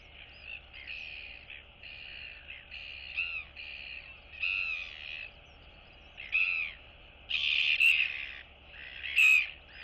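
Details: Two royal albatross chicks greeting one another among neighbouring nests in their colony, recorded 9 September 2022; harsh, nasal calls in short bursts and longer braying phrases, about seven over ten seconds, with a steady low hum behind.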